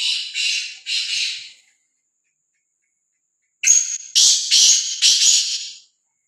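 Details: Free-roaming, fearless black francolin: the end of a harsh rasping phrase, a pause, then a full phrase of four or five loud grating notes with faint clicks between them.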